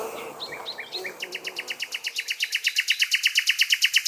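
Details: Nightingales in the countryside, recorded by a listener: a few slurred whistled notes, then a long run of sharp, identical notes repeated about three times a second, growing steadily louder.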